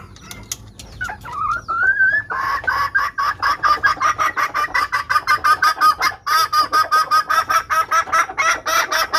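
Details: Hen red junglefowl giving a lure call to attract males. A short rising squeal leads into a fast, steady run of clipped clucks, nearly three per second, continuing to the end.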